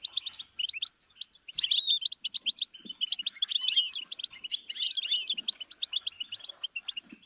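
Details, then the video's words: Bright, rapid twittering of a goldfinch, recorded as a stimulus for teaching song. Clipped chirps run together into jangling phrases, thickening into denser buzzy flourishes midway, with faint low knocks behind. "Series of stimuli for the goldfinch"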